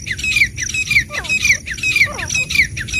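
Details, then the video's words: Black francolin (kala teetar), female and male, calling: harsh, slurred notes that dip sharply downward, repeated roughly twice a second in a rapid, slightly uneven chatter, over a low background rumble. "महिला पुरुष तीतर की आवाज | female male teetar ka awaaz | francolin calling | kala teetar awaaz"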